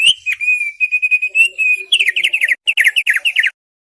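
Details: Thick-billed white-eye singing: long, clear, level whistles held in a row, then a fast series of sharp, bouncing chip notes in quick bursts.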